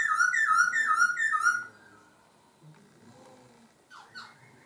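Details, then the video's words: Laughingthrush song: a rapid run of loud bright whistled notes for about a second and a half, then quiet, with a couple of soft swooping notes near the end. "chim khướu hót hay đảo giọng"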